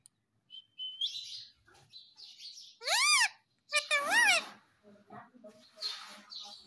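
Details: Pet Indian ringneck parakeet, a talking bird said to repeat "Mitthu Mitthu": a thin whistle, soft chatter, then two loud arched harmonic squawks near the middle, followed by quieter mutterings and a hissy burst.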